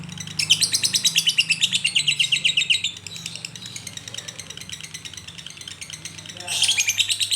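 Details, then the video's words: Lovebird koslet song. A fast string of shrill, buzzy chirps fades into softer twitter, then a fresh loud burst starts near the end; a low hum runs underneath. "LB koslet/love bird"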